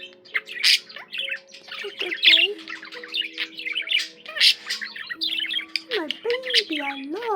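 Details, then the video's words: Budgerigar song at home: a long stream of scratchy chirps and squawky notes, ending in several rounded, rising-then-falling whistled glides repeated in quick succession. "Peaceful, relaxing budgie sounds for your bird"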